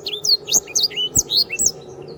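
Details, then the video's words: Canary singing vigorously on a tutor recording for training birds: fast, high chirps and bright whistled notes tumbling up and down in short bursts, with soft clicks beneath. "sanger gacor. masteran burung"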